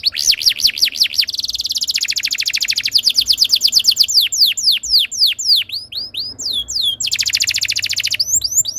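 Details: Canary singing a tutor song that makes other canaries sing: looping whistles, a fast even trill of repeated notes, then steep descending slurs and another rapid rolled tour.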